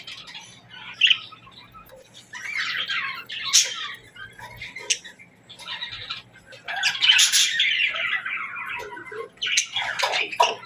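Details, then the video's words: Budgerigars chirping in the morning: busy overlapping warbles, squawks and scratchy chatter rising and falling in bursts, with a steady low hum underneath. "Parakeets Morning Chirping Sounds"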